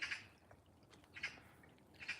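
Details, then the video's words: Eurasian magpie in a garden with a dense tree canopy, early morning, where one nested in a garden tree this year; harsh, dry chattering bursts repeated roughly once a second against a quiet background. "Yeah, you can hear the magpie. We've had a magpie nest in one of the trees this year."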